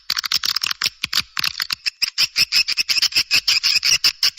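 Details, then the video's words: Swiftlet calling sound for luring birds, made of quick, regular chirping pulses, about three per second, each a short buzzy high chip. "เสียงนกนางแอ่น ตัดรวม"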